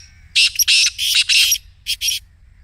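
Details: Black francolin giving the 'masti' call, played so a caged francolin starts calling: a loud grating phrase of several harsh clustered syllables, a short pause, then two shorter rasping notes, against a quiet background.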